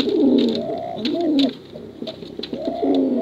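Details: Male and female contest pigeons give continuous deep, throaty coos, recorded to lure young birds. Loud descending rolls are overlapped by a second bird, and a quieter patch comes midway.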